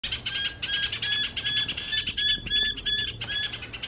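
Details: A New Holland honeyeater at Cygnia Cove Wetlands, Waterford, Perth, late morning on 2 July 2020 in winter, gives loud, harsh chattering notes while facing its reflection in a steel gate. Thin high whistles mix in over busy bird chatter.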